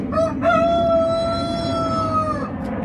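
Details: One Gold Brahma breeding hen: a long, steady, drawn-out tonal call lasting about two seconds and falling slightly at the end, preceded by a short note, over a constant low rumbling background.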